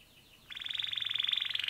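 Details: After a quiet start, a male canary bursts into a loud, rapid, rattling trill of evenly repeated notes that holds a steady pitch.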